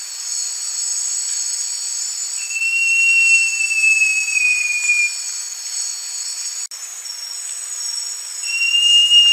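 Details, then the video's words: Song of the great jacamar: a drawn-out clear whistle gently falling in pitch, then a pause and a second whistle beginning near the end. Constant high insect buzzing throughout, with a brief click. "O Canto do JACAMARAÇU (Jacamerops Aureus) Bird Song - Great Jacamar"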